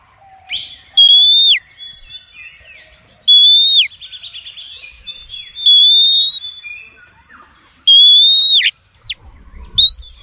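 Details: Female oriental magpie-robin luring males with long, level, piercing whistles that end in a sharp downward drop, repeated about every two to three seconds, with quieter chatter between.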